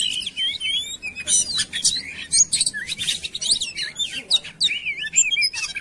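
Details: Compilation lure song of an Oriental magpie-robin meant to set other birds singing: quick high whistles, twisting slurs and sharp chips tumbling together in a busy, unbroken stream.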